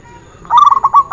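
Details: Zebra dove (perkutut) on a training recording, giving one short burst of rapid, bubbling coos that starts abruptly and runs to the end.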